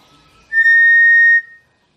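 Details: Re-recorded attracting call of the cinereous tinamou for educational purposes: a lone, pure, monotone whistle lasting about a second, even in pitch throughout, ending in a short decay against a silent background.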